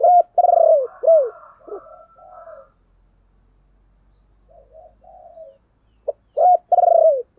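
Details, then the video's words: Caged decoy spotted dove gives its luring call: three full, arching coos with quieter warbling notes after them, a long near-silent gap, then a fresh phrase starting with a short note and drawn coos. "Chim Cu Mồi Gáy Gọi, giọng này mà dùng kích bổi thì đúng bài"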